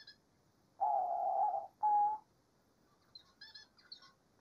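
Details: Diamond dove song in nature: one drawn-out mellow coo, then a brief clear coo, followed by thin high chirping from other small birds.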